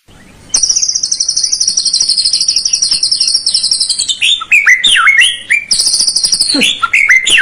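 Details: White-rumped shama song meant to stir a lazy bird into singing: a long high buzzing trill lasting several seconds, then varied whistled, swooping notes and another buzzy trill.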